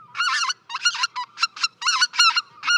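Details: Greater white-fronted goose (specklebelly), one bird isolated from a flock, gives quick, high, squeaky yelps in two- and three-note bursts, about eight notes in under three seconds; the multi-note yelp distinguishes white-fronts from snow geese.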